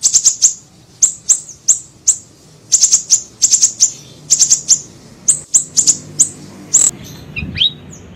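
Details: High, needle-thin chirps from a small siri-siri bird in a lure recording, delivered in rapid groups of two to four, ending with a brief lower downward-swept note.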